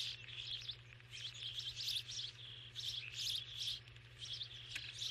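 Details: Starling chatter: irregular bursts of squeaky, grating high chirps mixed with thin whistled notes, rising and falling in loudness. A sharp click sounds near the end, with faint low humming throughout.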